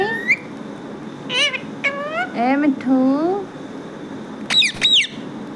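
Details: A talking pet parrot, called mithu, vocalising indoors. It makes a run of bent harmonic squawks and voice-like sounds in the first three and a half seconds, then two high sharp notes near the end over a low household hum.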